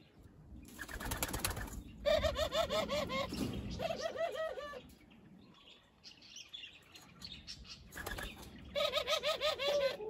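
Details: A captive, non-wild Barbary dove gives rapid, rolling laughing trills in three bursts of about a second each, preceded by a loud clatter of wingbeats.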